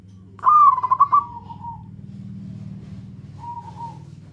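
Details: Local zebra dove calling to companions: one loud trilled coo phrase trailing into a fading hoot, a later soft hoot, and a low rumbling hum in the background.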